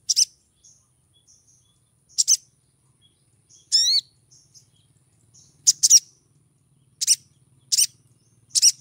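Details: Female little spiderhunter in breeding condition calling to attract a male: sharp, high double chips repeated at uneven intervals, with soft thin notes between and one rising buzzy trill near the middle.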